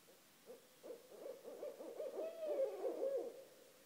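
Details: Two wild barred owls calling at night, around 1:30 am, right outside a house; a series of rapid, rhythmic low hoots building to a louder, drawn-out wavering hoot, with soft overlapping notes between the two birds.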